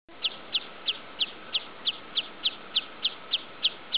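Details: Breeding wood sandpiper recorded 8 July 2013 at the Wrocław irrigation fields, giving sharp, high 'chip' notes, about three every second in a steady run, over a faint background hiss and a low steady hum.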